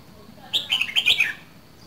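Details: Red-whiskered bulbul from Dak Lak, a cage bird, delivering a brief rich phrase of five or six rapid whistled notes that fall in pitch, with a low hum behind.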